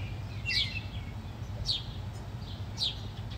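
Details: House sparrows fighting, three separated downward-sliding chirps, the first with a short twittering tail, over low ambient noise.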